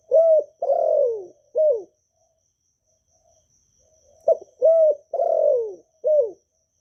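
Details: Vietnamese spotted dove giving the calling, urging and cooing song played to quicken new doves' singing: two repeated four-note phrases of mellow, falling coos separated by about two seconds of quiet, with a faint high hum.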